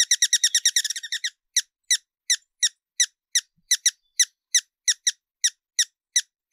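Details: Hummingbird giving a rapid burst of high, sharp chips that slows after about a second into separate, evenly spaced notes roughly three times a second, in a quiet setting.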